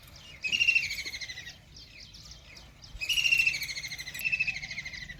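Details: A Common Kingfisher by a river in Ranthambore National Park, Rajasthan, gives two shrill, high-pitched chattering bursts about a second long each, separated by a short pause, over faint background noise.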